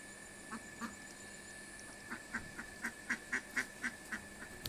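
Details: Domestic desi ducks returning to their homes at the end of the day, giving short harsh quacks, sparse at first and then a quick run of about nine evenly spaced calls, over a steady high electrical hum and background noise.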